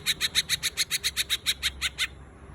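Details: Cucak ijo, the greater green leafbird, delivers a 'tembakan ringan' burst: thirteen crisp high chips at a brisk steady pace, each a quick bright note, ending abruptly, followed by quiet low hum.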